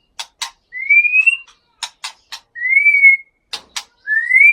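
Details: White-rumped shama of the Mount Leuser population in Aceh, kept in a breeding pair with a wild-caught male from Bahorok, North Sumatra: clear rising whistles repeated about every 1.5 seconds, separated by sharp dry clicks.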